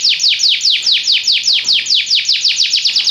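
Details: Belgian canary repeating loud downward-sweeping whistled notes about four to five per second, clear and close.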